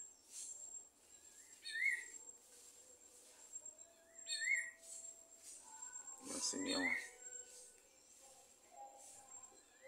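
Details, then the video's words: Wild Greyish saltator (sabiá-gongá) giving short rising whistled notes, each about two seconds apart, over a steady high hiss, with a brief burst of other noise in the middle. "selvagem sabiá gongar"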